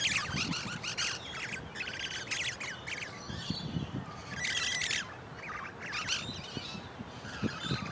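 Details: Pair of wild musk lorikeets in a large pepper tree giving shrill, rasping squawks in fast clusters, then a short pause and further scattered screechy calls, with faint low background noise.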